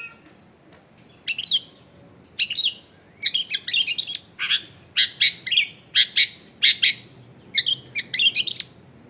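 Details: Long-tailed shrike singing prolifically, used as a lure to prompt other shrikes to sing. Recorded in a crowded residential area. Short, sharp chirped notes and clipped phrases come in bursts about every half second, with a faint low background hum.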